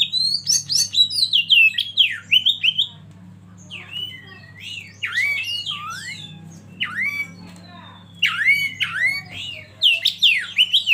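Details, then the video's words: Oriental magpie-robin song from a tutoring track with river flow: bursts of swooping whistles and harsh slurred notes separated by quieter gaps, over low humming background. "Masteran Kacer Eksklusif"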